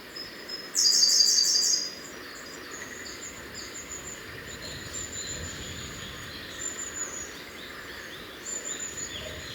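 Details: Siberian blue robin song: a loud, rapid phrase of repeated high notes lasting about a second, then very thin, faint high notes scattered over a steady forest hiss with insect-like buzzing.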